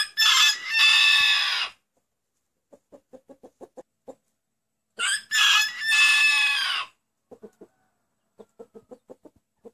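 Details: Crowing rooster said to call out "anneanne", Turkish for grandmother: a loud hoarse crow of under two seconds opening the recording, another about five seconds later, with rhythmic soft clucking in the pauses.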